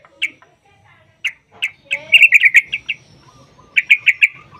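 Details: Yellow-vented bulbul used as a lure to prompt other bulbuls to sing: scattered single chirps building into a quick run of bubbly notes, then a short repeated burst.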